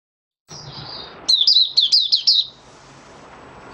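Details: Caged oriental white-eye (Mata Puteh Raja) in open song, five days after its monthly deworming on 20 January 2022: after a faint high hiss, one quick burst of sharp high chirps, each dropping in pitch, lasting about a second.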